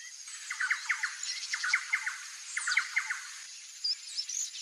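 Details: Female Little Woodpecker at her nest entrance, watching the surroundings; bursts of short, sharp clicking notes in tight clusters of three to five, repeated about once a second, over a steady high hiss of insects and distant birds.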